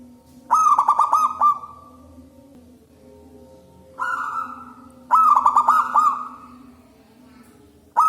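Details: Loud local zebra dove song suited for luring doves: rapid rippling coo phrases with a trailing sustained note, repeated about every three to four seconds, with a steady low hum behind.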